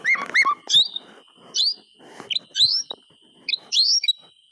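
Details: White-rumped shama singing to coax silent birds to sing: a quick twisting whistled phrase, then spaced sharp rising chirps about every second, with a faint steady high tone behind.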